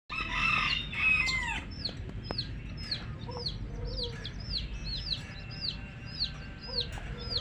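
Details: Coloured baby chicks chirping: a steady stream of high, thin peeps that slide downward, several per second from many chicks, opening with a few louder, fuller calls and a low rumbling background.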